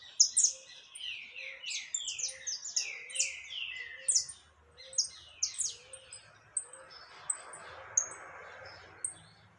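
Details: Saffron finch singing energetically, 20 October 2021: fast strings of slurred chirps and high ticks over a dense chorus of similar birds, with a soft rustling noise later on.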